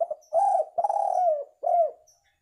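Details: Lure call of a spotted dove: mellow, low-pitched coos in one phrase. A brief note, a long steady coo, a longer coo that bends down at its end, then a closing coo. The recording is clear.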